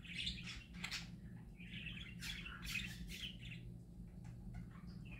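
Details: Happy parakeets singing together: a busy warbling chatter of scratchy chirps and squawky trills around the mid-high range, with a steady low hum underneath throughout.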